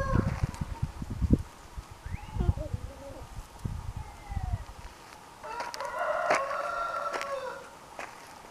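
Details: Orpington chickens kept in a backyard, with a distant drawn-out crow rising and falling in pitch near the end, after a stretch of low clucking and scratching sounds.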